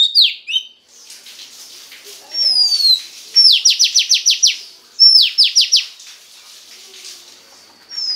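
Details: Female Oriental magpie-robin singing to stimulate the male: sliding high whistles, then two bursts of six or seven rapid, buzzy, downward-sweeping notes separated by a short pause, with a faint whistle at the end.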